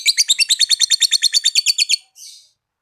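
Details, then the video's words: Lovebird 'ngekek' trill: about two seconds of fast, evenly spaced, high chattering notes, then a short hoarse squeak after a brief gap. "Suara Lovebird Ngekekk Panjang"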